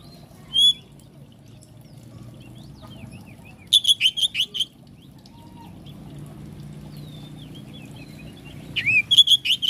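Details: Oriental magpie-robin: a single sharp whistle, then a rapid run of about six loud chirps, a quiet gap with faint distant notes, and another fast chirping burst.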